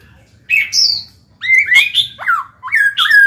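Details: Black-throated laughingthrush, a caged bird singing to spur others: after a single high slurred note, a quick sequence of bright whistles rising and dropping, finishing on a long falling whistle.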